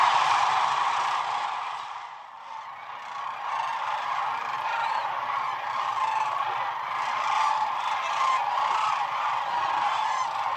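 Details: Several hundred thousand sandhill cranes gathered on the Platte River at the peak of their northern migration, heard at night from a photography blind: a dense, unbroken roar of overlapping rolling, bugling calls from a huge flock, steady throughout.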